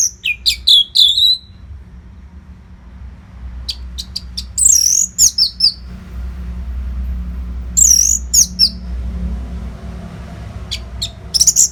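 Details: Orange-headed thrush training song for competition birds: repeated bursts of high whistled and chipping notes with swooping slurs, separated by pauses, over a low steady background hum.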